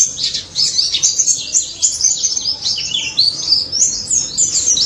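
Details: White-eye in the energetic, continuous ngalas song style, used as a lure to get silent white-eyes to answer: dense, rapid high twittering and chattering notes poured out without pause, with sweeping whistled slurs woven through.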